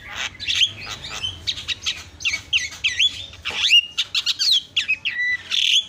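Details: Javan myna isian song used for masteran: dense chatter of harsh chips and rasps, broken by swooping whistled notes that slide downward.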